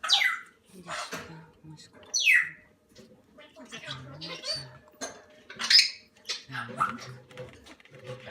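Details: Salmon-crested cockatoo chicks, under one month old: harsh, hoarse squawks sweeping sharply downward, spaced a couple of seconds apart, with a person speaking quietly between them.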